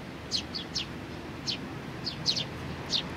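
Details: Sparrows with a young one trying hard, 27 June 2019: quick high chirps in small clusters, some doubled, over a constant low hum.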